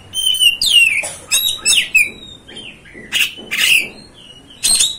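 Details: Oriental magpie-robin (kacer) singing as a lure to rouse other kacers: a sweet drawn-out whistle, then grating harsh calls and falling whistles, spaced by short quiet gaps.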